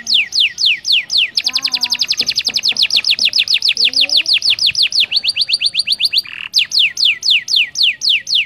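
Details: Canary in full gacor song, recorded as a tutor for other canaries. Bright falling whistles alternate with a very fast rolling trill and a faster chain of notes, ending in spaced swoops.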